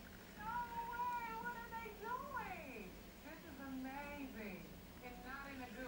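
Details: One-week-old gull chicks on a neighbouring rooftop giving thin, wavering peeping calls, each rising then falling in pitch, several in quick series with short pauses, against soft background hum.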